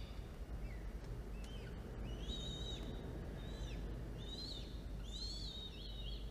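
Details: Falcon nest camera during feeding of two chicks, 13 October 2022, early afternoon: a handful of drawn-out whistled calls, rising then dipping, spaced about a second apart, over a constant low hum.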